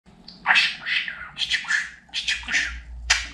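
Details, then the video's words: Pet budgerigar talking indoors, a string of short raspy, chattering syllables with bright bursts of high hiss, some phrases rising and falling like mimicked words, ending in a sharp high click. "Babacık Aşkım Cici kuş Demeyen Konuşmayan Muhabbet Kuşu kalmasın | dinlet konuşsun"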